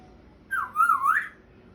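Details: A household African grey parrot attempts speech with one clear whistled phrase lasting under a second, starting high, dipping and wavering, then sliding back up at the end; the room is otherwise quiet.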